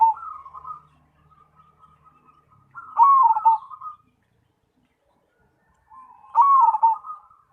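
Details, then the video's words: Perkutut cemani, a caged zebra dove, repeating its song about every three seconds: soft tremulous notes building into a louder bubbling, descending coo, with quiet gaps between phrases. "Perkutut Cemani Gacor"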